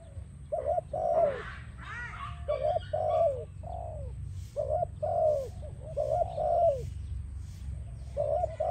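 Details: Spotted dove song for training and attracting doves, repeated two- and three-note coo phrases, each ending in a longer falling coo, several phrases in a row over low hum.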